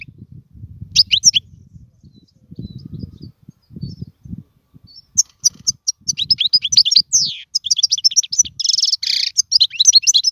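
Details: European goldfinch singing, recorded for teaching fledglings to sing; low thumping noise fills the first half, then a fast run of high twitters, buzzy notes and trills takes over.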